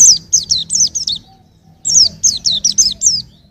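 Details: Two phrases of about six rapid, piercing chirps each, every note falling in pitch, sung by a white-eye for training songbirds.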